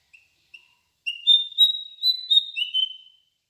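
A bird sings clear, high whistled notes: two short soft notes, then a sustained warbling phrase lasting about two seconds that ends on a slightly lower pitch.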